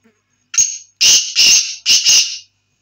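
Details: Black francolin, known locally as kala teetar, calling: one short rasping note, then three loud, harsh, grating bursts in quick succession, each lasting about half a second, with a clean silent background.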